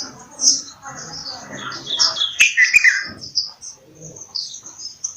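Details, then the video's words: Bulbul calling in a busy run of high, sharp chirps and short warbled notes, several phrases overlapping, with sudden clicks and faint background murmurs. "Bulbul Sound | bulbul voice"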